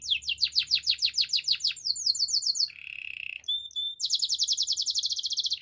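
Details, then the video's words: A Gloster canary sings, for canary training: a fast series of descending sweeps, a quicker higher run, a low rattling roll, paired whistles, then a long bright pulsed trill. "Gloster canary singing"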